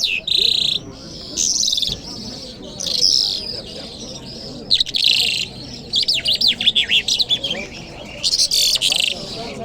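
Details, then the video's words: Lark singing in Kabul on a Friday morning: bursts of bright, buzzy high warbling alternate with rapid chattering trills and sweeping whistled notes, separated by short pauses, over a faint low background murmur. "Jal Birds Sounds | Lark Singing | جل مشهدي | طرقه | قزالاق | صدای جل مشهدي برای مست کردن"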